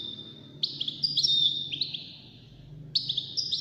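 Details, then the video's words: European goldfinch, one of five birds in a song competition, giving bright, high twittering phrases of quick slurred notes, pausing briefly, then resuming; faint low hum underneath. "مسابقة افضل تغاريد 5 حساسين ويدانية"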